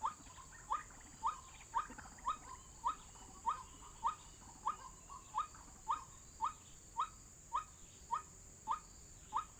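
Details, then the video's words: Trapping lure recording of a white-breasted waterhen: steady run of short, rising notes, roughly seventeen, evenly spaced about half a second apart against soft background noise. "Pikat hanya menggunakan MP3 suara ruak-ruak"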